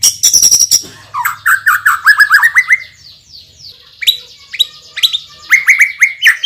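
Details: White-rumped shama, a champion bird with a spicy song fill and a loud, forceful voice: a high chattering start, then a rising series of rich slurred whistles, a quiet gap, and sharp upward-flicked notes.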